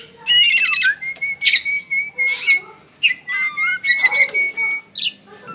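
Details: Pet white-rumped shama, a kept togar bird, delivering a rich song of level sustained whistles broken by rattling trills, harsh bursts and quick slurred notes, over a low background hum.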